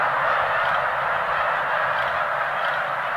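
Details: Roughly 85,000 snow geese lifting off at Middle Creek Wildlife Management Area in eastern Pennsylvania on March 23, 2015, the day before their migration. A dense, continuous roar of overlapping honking fills the air.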